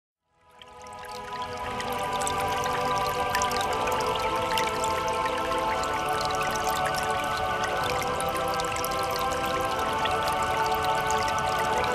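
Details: Soft, sustained ambient music fades in and holds steady, with a faint trickling, water-like texture and no animal voice.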